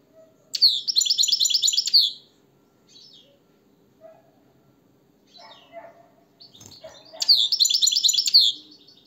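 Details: Two bursts of European goldfinch song, each a fast run of bright, repeated twittering notes about a second and a half long, separated by soft chirps, clicks and low room hum.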